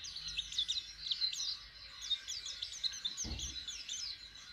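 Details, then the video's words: Soft, busy high chirping from a pleci white-eye practising its song with an opening beak; a dull low knock sounds once near the end. "Pleci jhonshon belajaran buka paruh asiik"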